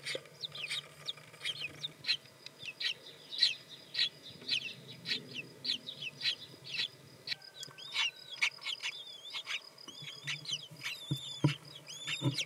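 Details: Brood of five common kestrel chicks, just hatched in the nest in spring, raised by a new pair. Dense, shrill squeaks tumble out irregularly, with a few thin rising whistles near the end and a faint low hum beneath.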